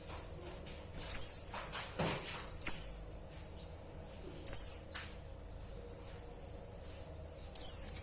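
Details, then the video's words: Repeated high, thin, downward-sliding chirps from a female white-eye calling to a male. Loud notes alternate with quieter echo-like ones, and a few faint clicks come in between. "Suara pleci betina Bikin Emosi"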